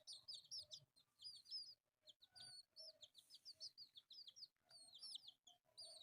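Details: Four colourful pet chicks at play keep up a busy chorus of piercing high peeps, short slurred notes in rapid overlapping runs with brief pauses.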